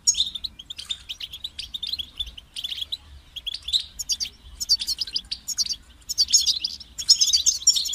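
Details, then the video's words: European goldfinch pouring out a long run of fast chattering, tinkling notes, steady at first and then louder, richer phrases toward the end; constant faint low hum. "Highlighting motivating songs for creative goldfinches in simple ways"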